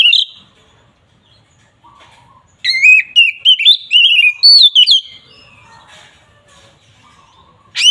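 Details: Oriental magpie-robin giving its agitated rival-provoking song: an opening whistle, then a dense two-second burst of varied rising and falling whistled notes, followed by quiet with faint lower twitters and a final sharp note.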